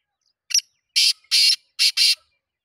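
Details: Single rasping call phrase of a black francolin: a brief first note followed by four drawn-out, buzzy, scratchy notes grouped in two pairs, about two seconds in total, with nothing else audible.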